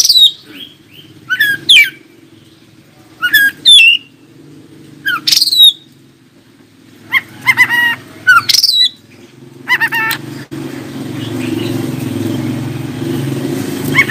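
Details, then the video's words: Oriental magpie-robin singing, a song meant to make other magpie-robins answer and sing: separate bursts of bright, varied, high whistled and twittering phrases every second or two, followed by a steady low hiss of background noise. "KACER ANDA LANGSUNG IKUTAN NYAUT dan NGOBRA JIKA DENGAR SUARA KACER INI"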